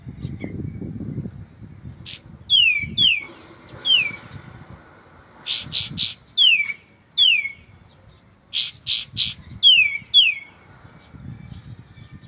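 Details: Pauses separate repeated phrases of white-shouldered triller on a shama tutoring track: bursts of sharp high chips, each followed by pairs of whistled notes sliding downward, repeated several times.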